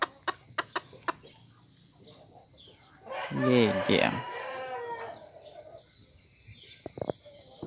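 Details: Junglefowl cross chicken, mother carrying junglefowl blood, father a bantam–Serama cross, a keen crower: one short harmonic crow lasting about a second, preceded by sharp clicks and followed by a few faint notes.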